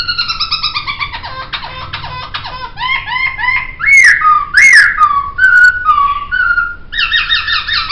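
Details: Laughingthrush known locally as poksay sings a master recording: rapid harmonic stuttering notes, then clear looping whistles and loud slurred phrases, and finally a repeated rich chattering motif.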